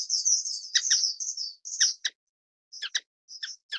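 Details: Orange-cheeked waxbill, Estrilda melpoda: thin high twittering notes around 4–8k, a sustained buzzy trill followed by short sharp chirps with gaps, no other sounds.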